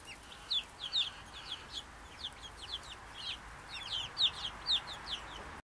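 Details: Small, contented group of Brahma chickens calling together: quick, high, slurred peeps tumbling over one another about twice a second, some louder notes standing out, against a soft steady background hiss.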